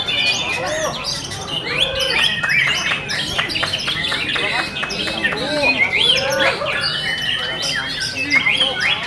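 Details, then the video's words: Caged white-rumped shama at a bird-singing competition, producing a busy run of high whistles, clicks and rising chirps, with rival birds and crowd chatter audible. "AKSI MURAI BATU"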